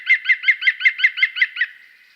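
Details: In a forest, a European green woodpecker gives its characteristic laughing call, about nine ringing notes in quick steady succession that fade toward the end.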